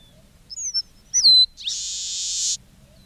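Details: Red-breasted meadowlark delivering its song: two short high whistles, a brighter note with a falling glide, then a drawn-out, rasping buzz of about one second. The background is quiet.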